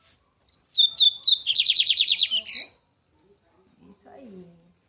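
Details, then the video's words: American-type song of a caged lined seedeater in Brazil: whistled introductory notes, then a quick buzzy trill and a harsher final note, followed by a man speaking softly. "Só uma palhinha do bigode Americano"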